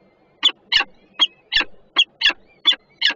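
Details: Peregrine falcon at a nest on the Żerań power plant in Warsaw, Poland, recorded on 28 June 2022 from a nest camera while one bird guards and the other arrives with food; harsh, raspy calls repeated about every half second.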